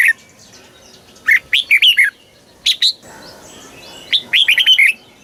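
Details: Red-whiskered bulbul song in the southern master style, for exciting birds and training young: two bursts of quick, bright warbled notes about three seconds apart, with a short call between and faint chirping behind.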